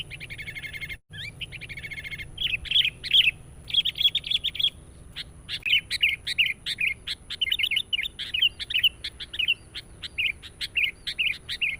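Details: Chatty sooty-headed bulbul lure song used to attract wild birds: a brief buzzy trill and a short gap, then long steady strings of rapid chirps and bubbly phrases, repeated almost without pause for over ten seconds.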